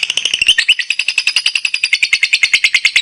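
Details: Active chattering from a lovebird kept for competition: a dense, buzzy rattle of rapid high chirps, roughly a dozen per second, steady throughout with no other sound.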